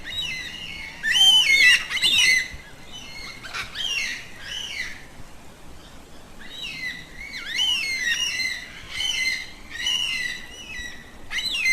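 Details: Yellow-tailed black cockatoo, a social Australian cockatoo that keeps in contact with its flock by calling; repeated screechy, wavering squawks arrive in loud clusters, several notes sliding down in pitch, separated by quieter stretches of soft background noise.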